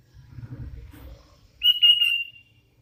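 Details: Hand-reared Sooty-headed Bulbul giving a single bright whistled phrase with a slight warble, after a moment of low rumbling background noise.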